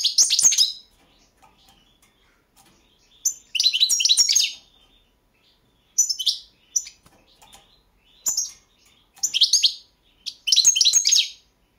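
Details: Balkan goldfinch, Carduelis carduelis balcanica, recorded for the 2022 online world championship in goldfinch song: repeated short bursts of liquid, high twittering and trilled chirps, about six phrases separated by brief quiet pauses, no other sounds.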